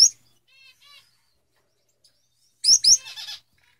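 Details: Male Gouldian finches giving a thin high chirp, two soft buzzy notes, then a quick run of two loud high chirps followed by rapid buzzy stacked notes, with quiet pauses between.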